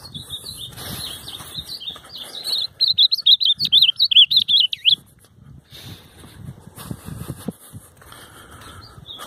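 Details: An Ultramarine grosbeak, filmed singing on 9/7 during a field outing in Brazil, gives a quick, rich warbled phrase of high, varied slurred whistles lasting about two seconds, over faint rustling and low background noise.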